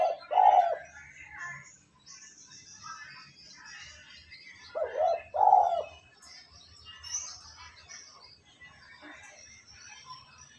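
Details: Spotted dove cooing, played to rouse decoy birds into calling: a deep, hoarse two-part coo near the start, then a pair of coos around five seconds, over faint chirps of other birds.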